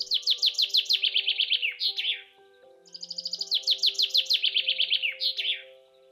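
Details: Two typical songs of a male common chaffinch from the UK, each a bright, descending rattle of quick notes speeding into an accelerated flourish, about two seconds long, often repeated, over soft background music.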